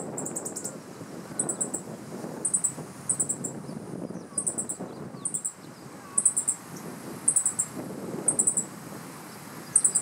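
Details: Perched on a dead branch in riparian forest in Japan in mid-July 2015, a male meadow bunting keeps calling loudly against an intruder: high, dry clusters of quick ticks each second, over a low, constant rushing background noise.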